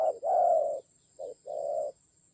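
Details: Spotted dove used as a decoy during a fight in the Central Highlands of Vietnam, October 2020, giving two paired coos, a brief note then a longer drawn-out hoarse one, over a faint steady high-pitched tone.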